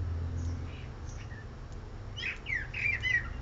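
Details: Male bird's melody: a few scattered thin whistles, then a faster burst of rising and falling notes with varied endings, heard over a constant low mechanical hum.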